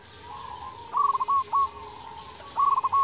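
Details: Local zebra dove cooing as a lure to prompt rival doves to call back. Quieter, over soft background hiss: three short bursts of quick stuttering coos separated by faint drawn-out trilling.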